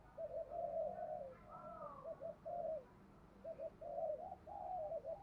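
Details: Spotted dove used as a decoy to rouse other doves into cooing; soft, low hooting coos in a broken, repeated sequence of short and longer notes, with a faint higher tonal phrase midway over quiet background hiss.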